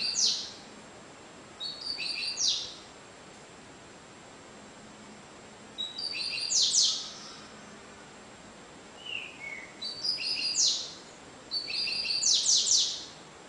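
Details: Cigano-style song of a double-collared seedeater, about 30 songs a minute. Four high phrases of stacked short whistles, each closing in rapid buzzy downslurs, come every few seconds over steady background hiss.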